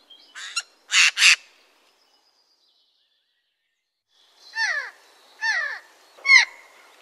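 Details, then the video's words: Adult Eurasian jay: two or three loud, harsh rasping bursts, then a quiet pause, then three spaced, downward-slurred whistled notes with a rough edge. "chant du geai des chênes"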